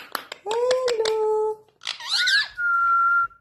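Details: Indian ringneck parrot indoors: clicks, then a droning voice-like phrase, a sharp squawk that sweeps up, and a long level whistle to finish.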